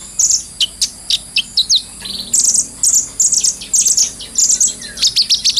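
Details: Brown-throated sunbird singing as a training lure, a clear and lively bird: high thin chirps repeated in quick clusters, some short buzzy trills, delivered in rhythmic bursts with brief pauses.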